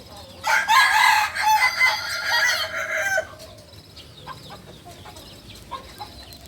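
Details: Novice Balenggek rooster, a native breed of Solok, West Sumatra, delivering one strong harmonic crow of about three seconds with wavering stepped tones, followed by quiet with faint clicks and distant sounds.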